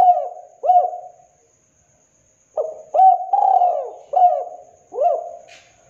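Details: Local spotted dove cooing in two bursts: short hoots run into longer, wavering low coos, with a quiet gap of over a second between phrases; a faint hiss near the end.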